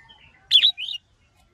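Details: Red-whiskered bulbul song, a male excited by a female, with song styles called sổ bọng and ché: a burst of three bright, slurred whistled notes, the first two rising and falling sharply and the last a softer warble. Faint chirps come before it.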